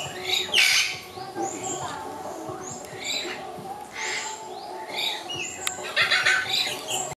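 A sun conure gives about eight harsh, raspy, high-pitched squawks at an uneven pace over seven seconds, with faint background hum.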